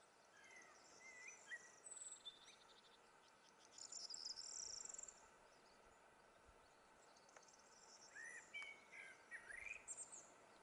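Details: A distant common blackbird at Juncalillo, Gran Canaria, in May 2020 sings soft, fluty warbled phrases ending in thin, high squeaky twitters, a few seconds apart, over a steady insect hum.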